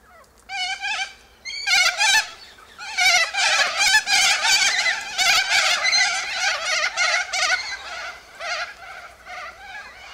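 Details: A flock of Sulphur-crested cockatoos feeding on seeds from pods high in a silky oak tree; loud, grating, harmonic screeches overlap in a nearly continuous chorus, rising and falling in intensity, about three calls per second.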